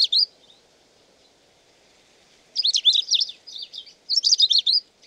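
A long-tailed rosefinch sings high, quick twittering phrases of sweet, warbled notes, a brief note first, then two bursts after a pause; a faint low hum underneath.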